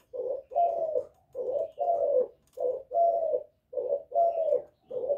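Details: Calling to lure and provoke rival males, a spotted dove of the 'Thổ' voice repeats steady paired coos, short then long and rolling, roughly four pairs delivered in an even rhythm without pause.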